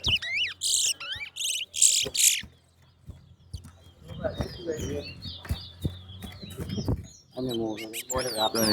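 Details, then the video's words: Towa-towa seed finch singing in a bird race at New Amsterdam bird ground; loud buzzy and whistled bursts open the recording, then fade under crowd chatter, thumps and scattered faint chirps. "TOWA TOWA BIRD RACE"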